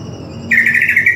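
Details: Greater green leafbird song under master-audio training, a short intense run of rapid warbled notes starting abruptly, over a quiet low hum.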